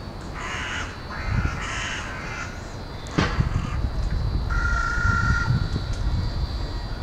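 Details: Carrion crows arriving to roost in a university woodland area in Hull at 17:44 on 20 February 2013 give harsh, grating caws in three short bursts over a steady low rumble of wind or distant traffic.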